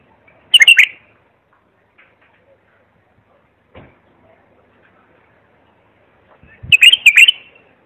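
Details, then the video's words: Clear bulbul song meant for young birds to learn from. A short fluty warble opens, faint soft clicks fill the quiet middle, then a second rich, quick phrase of tumbling notes ends it. "تغريد صافي يفيد اذا عندك بلابل صغار او بلبل ميغرد"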